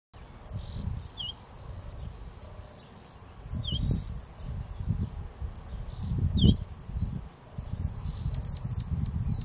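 A rufous-tailed scrub robin gives scattered clear whistles and down-slurred notes, ending in a quick run of high, thin notes, over a heavy low rumble of wind.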